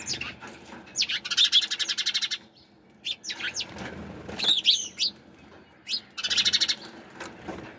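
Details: Sparrows chirping: bursts of rapid, buzzy repeated chirps lasting about a second, separated by single sharp chip notes and short pauses, with faint low background noise.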